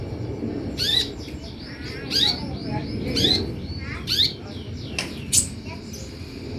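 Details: Olive-backed sunbird lure recording for drawing birds to respond: a busy series of buzzy chips and squeaky notes, several sharp high calls and fainter twitters between them, steady low rumble underneath.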